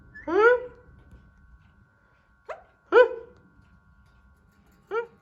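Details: A hand-tame pet Alexandrine parakeet trying to talk makes four rich, speech-like vocal bursts, the first long and drawn out, the others short, spaced one to two seconds apart, over a faint steady hum.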